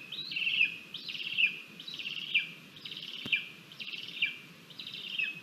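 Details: Lesser spotted eagle chick on its nest at breakfast time, 17 August 2022, shoving its mother away after she arrives with food: a steady series of thin, buzzy-edged whistles with a short downward flick, about one per second.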